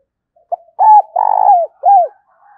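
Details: Spotted dove decoy bird calling to lure wild doves, a 'giọng thổ' voice style: one clean phrase of a short lead note, then two loud, even, hollow coos, the middle one long and slightly throbbing, ending on a falling note.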